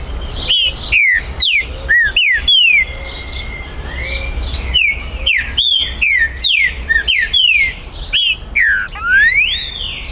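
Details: A captive, territorial Green-winged saltator sings loud, clear whistled phrases of slurred, falling and rising notes in quick bursts with brief pauses, recorded 19 September 2020 to provoke other birds to sing.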